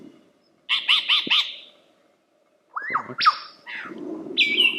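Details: Lyrebird song: four quick harsh squawking notes in a row, a pause, then rising and falling whistles and a high level whistle with low rumble beneath.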